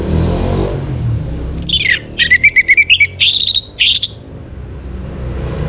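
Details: Morning song of an orange-headed thrush from northern Bali, played to bring birds into breeding condition: a falling whistle, then a fast series of short chirped notes and bright higher phrases, background hum.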